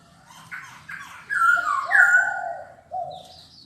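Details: Black-throated laughingthrush: soft short notes build into a loud, smooth, downward-sliding whistled phrase, then lower mellow tones, ending with a brief high note.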